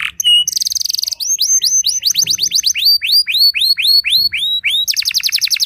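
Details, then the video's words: Canary singing loudly to provoke rival canaries: bright whistled notes, a fast trill, then a long series of rising-falling swept whistles repeated about four per second, ending in a buzzy burst. "merdunya kicau burung kenari yang membuat galau kenari lain"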